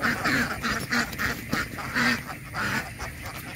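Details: Duck quacks in loud nasal bursts, roughly two a second, coming in uneven runs over a steady noisy background.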